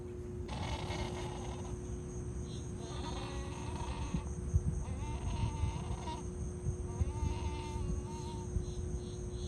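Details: Yellow-crowned night heron making unhappy sounds while being filmed; several nasal, wavering calls with rich overtones near three, five and seven seconds, each about a second long, over a steady low hum and rumbling background noise.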